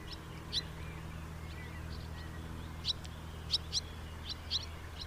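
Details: Chirping house martins, quick paired and grouped twittering notes in bursts toward the end, with a constant low-pitched background drone.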